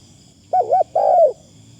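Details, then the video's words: Decoy Spotted dove with a light, pleasing delivery: a single phrase of two rapid bouncing coos and a longer, smoothly falling note, over faint background hiss. "ต่อนกเขาใหญ่ เสียงดีมากคารมบางๆฟังแล้วเพลิน"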